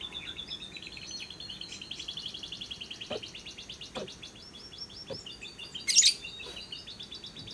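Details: Lovebird giving a long ngekek trill, used as a lure recording to prompt lovebirds to sing by day and night: a sustained, rapid, evenly repeated high chattering note that runs for seconds, with a short loud squeak near the end.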